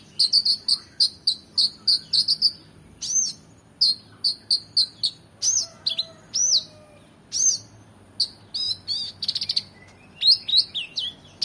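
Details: Energetic oriental magpie-robin song with rich fill-ins, meant for training competition birds: a rhythmic series of sharp repeated chirps about twice a second, then looping whistles, upslurs and quick trilled phrases.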